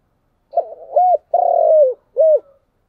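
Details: One complete spotted dove phrase in the chiêu and thúc style: a stuttering start, a rounded coo, a long drawn coo sinking at its end, and a clipped closing coo, all low and clear.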